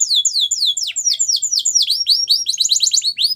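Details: Belgian canary singing, a recording for training young canaries: fast series of high downward-sweeping whistled notes, then a rapid burst of sharp chirps, loud and unbroken throughout.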